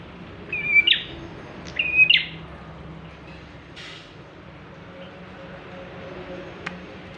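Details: Lively Bar-winged prinia song for luring birds: two buzzy high phrases, each ending in a sharp chip about a second apart, followed by quieter background and a single click.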